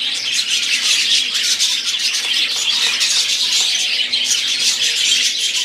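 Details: Budgerigars in song, a busy layered twittering of high squeaky notes and warbles running continuously at steady volume.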